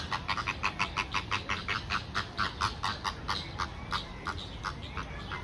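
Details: Chilean flamingos at Calgary Zoo in May 2023 give nasal, goose-like honks, about three to four a second in a steady gabbling run, over a low background rumble.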